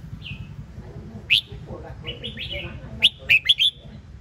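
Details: Red-whiskered bulbul singing: short bright chirped and whistled notes, a few soft phrases followed by a loud cluster of four sharp rising-falling notes, over low steady background hum.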